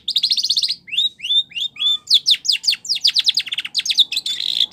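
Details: Spanish Timbrado canary in training song: an opening buzzy trill, then slurred whistled notes and a fast series of falling sweeps, closing in a dense ringing trill.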